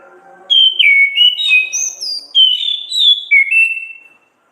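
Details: Orange-headed thrush, ngeplong gacor ngriwik singing used to stimulate captive songbirds: a run of clear, ringing whistles rising and falling in pitch, about a dozen short linked notes over roughly three and a half seconds.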